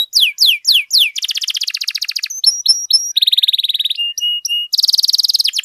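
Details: Canary in full 'gacor' song, used for tutoring and coaxing other canaries: a few sweeping downslurred whistles, then a dense buzzy trill, sharp clicks, a lower rattling trill, clear whistled notes and another fast trill, all high-pitched.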